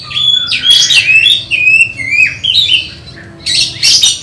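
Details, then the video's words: Oriental magpie-robin prepared for a songbird contest, singing rich whistled phrases with rising and falling slides and scratchy harsh notes, a brief quieter pause before a loud final burst. "Test Mental Kacer Persiapan Lomba Burung Berkicau"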